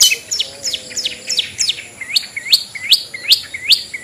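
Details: Long-tailed shrike ngetet song as a lure for hesitant caged birds. It opens with quick jumbled chirps over a soft low warble, then settles into evenly spaced, sharply upswept whistled notes about two per second.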